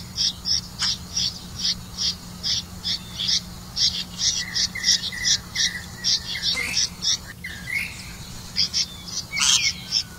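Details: Red-vented bulbul delivering crickets to its young: evenly spaced high chirps in a steady stream, a few louder sharp calls near the end, faint hum throughout.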